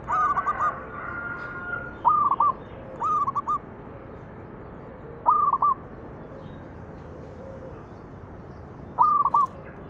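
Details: Local zebra dove giving its manggung song as a lure: short crisp phrases of three or four fast coos, repeated at intervals of one to four seconds over a quiet background.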